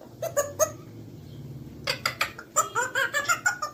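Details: Grey parrot (Psittacus erithacus), talking.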